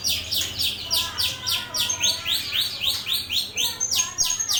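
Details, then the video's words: Training song of a starling: steady runs of harsh, descending chirps repeated several times per second, with a brief high whistle near the end. "Suara Masteran burung jalak"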